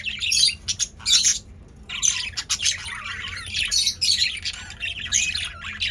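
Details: Several male budgerigars, very active in a cage, give dense bursts of squawky, warbling chatter with short chirps, pausing briefly between bouts; a faint low hum runs underneath.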